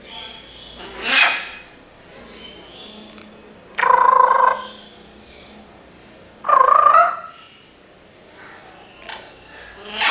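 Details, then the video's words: Parrot mimicking human speech: three main voice-like phrases spaced about three seconds apart, the middle two carrying a clear wavering tone near the middle of its range, ending with a short sharp note. "can you find out what is this Parrot saying?"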